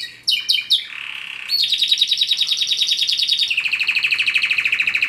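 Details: Canary begins with a few sharp descending chirps and a soft low buzz, then launches into a bright, rapid trill that steps down to a lower, slower roll.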